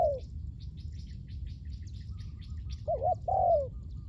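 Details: Spotted dove call used in luring wild doves on the ground: the tail of a falling coo opens, then after a pause a quick wavering two-part note and a drawn-out downslurred coo, over low background hum and distant high twitters.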